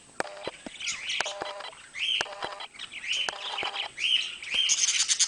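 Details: Two budgerigars chirp in short, bright, slurred phrases repeated roughly once a second, over sharp tapping clicks, ending in a hissy, high chatter.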